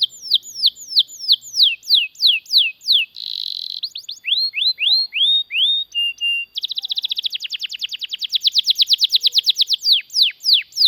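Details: Canary giving a long song meant to train and stir other canaries: descending whistled strokes, a dense buzzy burst, rising slurs, short flat whistles, then a long rapid trill that grows louder.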